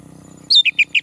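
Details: Male orange-headed thrush, prompted to sing, gives a quick string of four clear whistled notes, the first higher and sustained, the rest slurred downward, above a low background hum.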